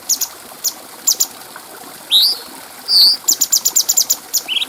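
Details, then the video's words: Master recording of a clear-voiced cucak cungko bulbul for training other birds: scattered high chips, a rising slurred whistle, a loud sustained piercing note, then quickening chips ending in an upslur. "Masteran Burung Cucak Cungko Suara Jernih"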